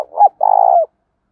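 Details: Spotted dove cooing to set off captive birds: the tail of a short hoot runs into a warbling note, then a sustained, buzzy, pulsing coo that slides down at the end.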